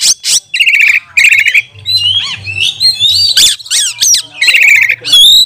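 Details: Oriental magpie-robin singing hard as a training lure to rouse other magpie-robins, recorded during lockdown: harsh buzzy trill bursts, then a run of varied rising and falling whistles, with a faint low hum underneath.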